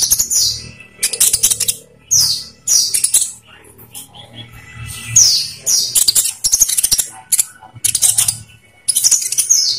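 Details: Olive-backed sunbird song used to lure caged birds into singing; bursts of high, fast twittering and sharp chips in repeated phrases, with a low rumble in the background.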